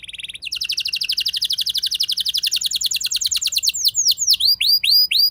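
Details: Canary's rolling lure song for triggering other canaries: a long, quick, steady high trill, then a sequence of separate swooping, upward-hooked whistled notes.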